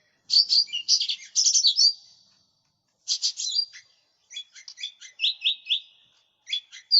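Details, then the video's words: Lesser green leafbird singing actively, recorded as a lure and master tutor sound: bursts of high, chattering, scratchy notes and quick whistles, in three phrases separated by short pauses, on a clean, quiet background. "Cucak Ijo Mini Gacor, Suara Pikat, Masteran"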